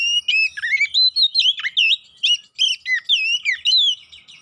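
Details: Oriental magpie-robin (kacer poci) singing a fierce lure song to trigger fighting: continuous varied phrases of rich whistles, downslurred and upslurred notes and chattering, loud and clean against silence.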